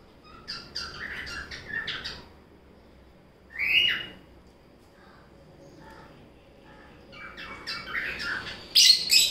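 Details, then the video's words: A pair of pet Violet Mask lovebirds, a male and a female, playing and eating fruit at lunch, give shrill, high chattering chirps in quick bursts, then a harsh squawk and more rapid chirping in an otherwise quiet room. "Love Bird play"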